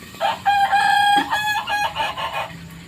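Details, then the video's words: Young Kukuak Balenggek rooster, a Minangkabau crowing breed, learning to crow: a broken, stuttering crow of about eight choppy, harmonic-rich syllables lasting over two seconds, with brief gaps and uneven loudness. "proses belajar koko ayam kukuak balenggek"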